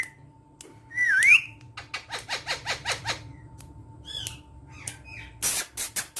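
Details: Caged Indian ringneck parakeets feeding babies: a swooping whistle, then about eight rapid, rasping pulses of begging and a few harsh squawks over a steady electrical hum.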